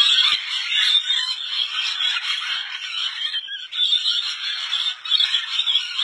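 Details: A rainbow lorikeet colony in Indonesia gives a dense, nonstop chorus of shrill, screechy chattering, many birds calling over one another, harsh and high-pitched throughout.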